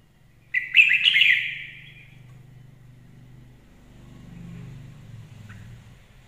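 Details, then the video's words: Red-whiskered bulbul singing a lure-quality song: one quick, bright warbled phrase of rich chirps lasting under two seconds, followed by quiet with a steady low hum underneath. "Chào mào hót hay - mồi chuẩn"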